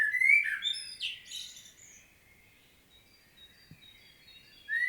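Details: Common blackbird, Świnoujście, Poland, 25 September 2022, delivering a strong solo phrase of fluty low whistles that break into a high, scratchy flourish, followed by near silence and a fresh phrase beginning at the end.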